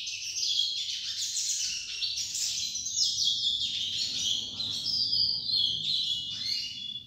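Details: A young chestnut-bellied seed finch listening to a tutor bird: a long, unbroken run of bright, rapid warbled phrases and whistled slurs, high-pitched and rich, over a faint low background hum.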